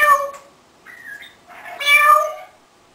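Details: An 18-year-old pet African grey parrot mimics a cat with three nasal, meow-like calls: a short one, a flat two-step note, then a longer wavering meow. No other sounds stand out.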